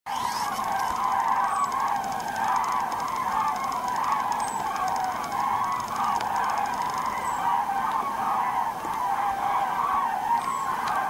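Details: A flock of common cranes flying over North Rhine-Westphalia, Germany, on 28 November 2010 gives loud, rolling trumpeting calls that overlap without a break, forming a steady chorus over a faint rumble.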